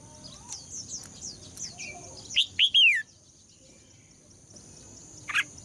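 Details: Red-whiskered bulbul female singing to stir males into song: a faint series of high slurred notes at first, then one loud phrase of two short rising whistles and a drawn-out descending whistle, and a brief final note.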